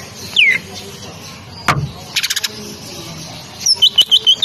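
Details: Caged female greater green leafbird from Banyuwangi, kept as a lure to stir other leafbirds: a sharp downward-sliding whistle, then after a pause a quick run of clear high whistled notes, with clicks and a brief rustle between.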